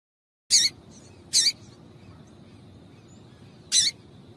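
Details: Female double-collared seedeater call meant to get males singing: three isolated sharp, high chips, the first two close together and the last after a two-second gap, over quiet background hiss.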